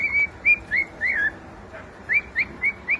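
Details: Pet young cockatiel whistling brief rising notes in two bursts separated by a short pause, clean and high against quiet room noise.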